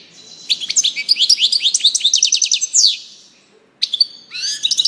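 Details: Goldfinch song in a long fluent stream of quick liquid twitters and tinkling notes, a brief silence, then sharper chips and twittering resuming.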